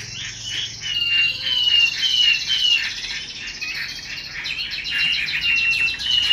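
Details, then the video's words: Caged female Chinese hwamei whose hissing 'xùy' and luring 'te dụ' calls are used to stir up male birds; a dense run of rapid, buzzy, harmonic notes mixed with short whistled slurs, steady and fast throughout. "Họa mi mái xùy tốt, Te dụ rất hay. Vực lửa cho trống"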